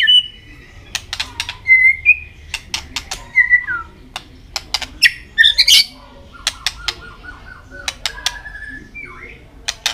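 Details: White-rumped shama singing in contest, tail flicking, mixes whistled slurs, a burst of harsh chattering notes and a long steady low whistle, punctuated throughout by sharp clicks.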